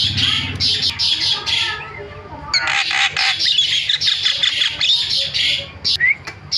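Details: Lure recording of a jalak (starling), meant to make other starlings call: rasping squawks in repeated bursts, a brief lull, then dense scratchy chatter ending with a rising whistle.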